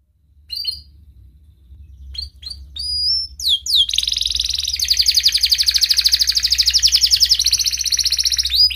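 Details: Canary song used as a prompt for silent canaries: scattered short chirps and whistles build into steep sweeps and a long, fast, buzzy trill of evenly repeated notes.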